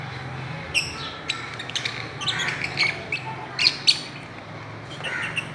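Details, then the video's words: Fischer's lovebirds playing on a swing give sharp, high chirps and squeaks in scattered bursts, several a second at times, over a steady low hum. "Parrots playing and chirping"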